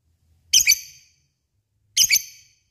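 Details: Lovebird used as a lure to draw other lovebirds into calling, giving two harsh high double-noted shrieks about one and a half seconds apart.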